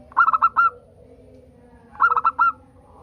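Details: A local zebra dove sings to coax other doves into song. Two phrases, each made of four short rapid coos ending in a longer drawn note, about two seconds apart.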